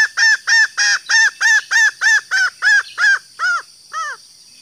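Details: Female green junglefowl calling to lure males: a fast, even run of about a dozen short, arched, nasal notes, roughly three per second, fading out over the last few notes.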